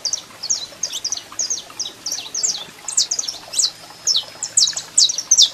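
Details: Male saffron finch singing while a female calls, giving bright high chirps and quick downslurred notes in a steady, jumbled stream, with one brief thin whistle near the end and a soft low hum behind.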